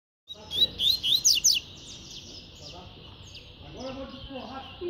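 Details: Double-collared seedeater (coleiro) singing in the tui-tui song style, described as spirited and fast: a quick burst of high, bright, sweeping whistled notes, then quieter faint chirps and soft background murmur.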